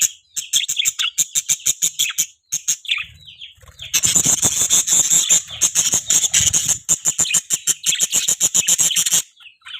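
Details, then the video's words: Budgerigar chirping loudly, a dense run of rapid high buzzy pulses that thickens midway into a continuous scratchy chatter, then breaks off near the end. "budgie chirping|budgie chirping sounds|budgie chirping loud"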